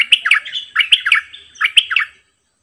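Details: Decoy bulbul singing a doubled song phrase: three close groups of loud, liquid, bubbling notes, each group a quick down-and-up flourish, repeated over two seconds.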